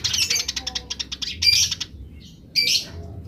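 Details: Wild house sparrow, with wild sparrows answering: rapid run of harsh, buzzy chirps repeated in a fast series, a pause, then a dense burst of scratchy chattering notes.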